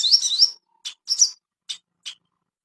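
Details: Ashy tailorbird master song for bringing on breeding condition, opening with a quick burst of high rising chirps, followed by a shorter phrase and two isolated sharp ticks.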